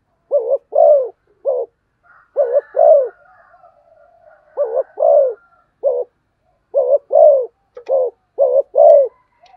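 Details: Spotted dove in fast cooing style, giving quick pairs of low, rounded coos, each pair a short note followed by a longer one, repeated about ten times with brief gaps; faint higher murmuring behind.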